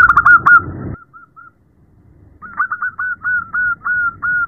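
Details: A female zebra dove calls a male at night: loud quick coos, a pause, then a steady row of clear repeated notes about four per second.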